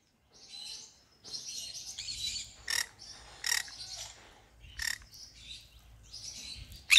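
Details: Pet green-cheeked conure chattering and singing: soft high twittering broken by loud harsh broadband squawks near 2.7, 3.5, 4.8 and 7 seconds.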